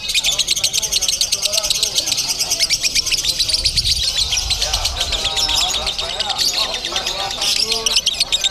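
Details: Lovebird singing in the konslet crazy style at a songbird contest in Bandung: dense, fast, high chattering and buzzy trills pouring out without pause, with people talking in the background.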